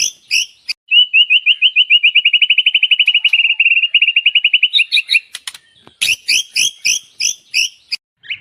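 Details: White-rumped shama master song for training songbirds: a long, fast, even trill of clicking notes lasting about four seconds, followed by loud chattering, scratchy phrases repeated in quick bursts.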